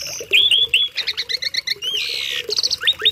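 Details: Tame Asian pied starling performing its filled song meant to teach other birds: sliding whistled slurs, a string of evenly spaced doubled chirps, then a long harsh buzzy note and quick rising whistles.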